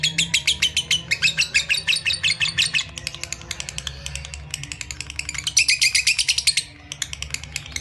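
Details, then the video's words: Long lovebird chatter in the ngekek style, dense, quick, buzzy pulses running for about six and a half seconds, softer in the middle and loudest near the end, then breaking off, with a low hum behind. "Love Bird Ngekek"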